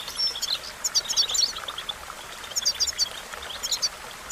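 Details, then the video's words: European goldfinch singing for song training: quick bursts of bright, tinkling, high twittered notes in clusters about every second, over a steady hiss of background noise. "The magic recipe to silence the goldfinch and make it sing"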